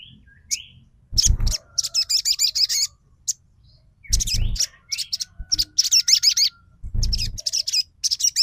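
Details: Crimson sunbird lure song, trotol type, intended to make other sunbirds sing and get excited: repeated bursts of high, sharp twittering chatter, separated by short gaps and three heavy low thumps.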